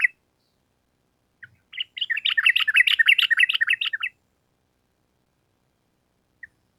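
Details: Sooty-headed bulbul singing in a lively long rolling style: a couple of short introductory notes, then a quick bubbly run of warbled, slurred notes lasting about two seconds, against a silent background.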